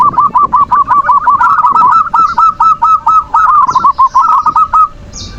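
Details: Manggung song of the zebra dove, used to lure emotion and breeding drive in other doves; a continuous fast chain of mellow cooing notes, about three per second, with a steady faint hum.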